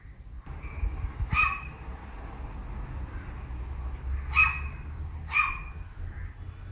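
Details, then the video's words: Crow making a barking sound: three short, harsh, broadband barks, the first alone and the last two about a second apart, over steady low rumbling background noise. "A crow that makes barking sound"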